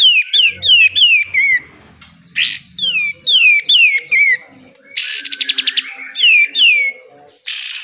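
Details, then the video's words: Pied triller singing in 'besetan' style for training caged birds: repeated falling whistled phrases, several in quick succession, broken by a rising sweep and a brief rapid trill. "DAHSYAT sekali BESETAN KATEM, kapas tembak gacor, BUNYI KAPAS TEMBAK"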